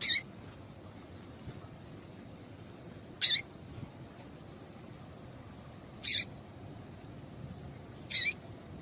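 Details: Call of a female double-collared seedeater, played to get a male singing: four short, sharp, high-pitched chips spaced about two to three seconds apart against quiet background hiss.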